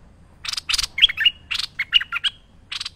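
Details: Merbah lekir bulbul in active song as a training master: two rasping bursts, then a quick run of sweet, bubbling whistles, followed by another rasp and more whistled notes.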